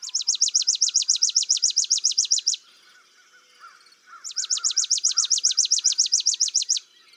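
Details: Chipping Sparrow trill: two dry, high trills of rapid chips, about seven per second, each lasting over two seconds, with faint lower bird notes in the pause.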